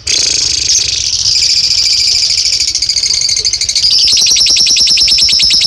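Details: Lovebird delivering a long ngekek trill: an unbroken, high, buzzy rattle sustained for over five seconds, growing harsher and more pulsed toward the end.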